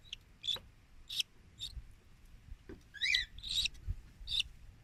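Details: Cockatiel chick in a breeder's care, hand-fed formula by syringe as its crop fills; repeated high, hoarse, squeaky chirps, some rising and falling in pitch, come in quick irregular bursts over faint background noise.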